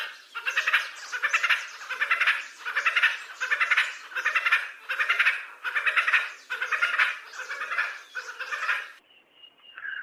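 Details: Red Spurfowl, the male's rapidly repeated k-or-quack call, often given in mornings and evenings, from rocky scrub forest of the Indian Peninsula. About a dozen harsh, buzzy notes come in a steady rhythm, roughly one every 0.7 seconds, then a faint whistle.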